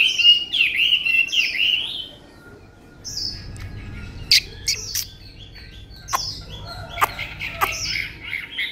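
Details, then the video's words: Chinese hwamei kept as a tame cage bird gives two bright warbled phrases of looping whistles, followed by a quieter stretch of sharp clicks and taps with faint short notes. "họa mi ccdv1121 thuần đẹp giọng hay quá"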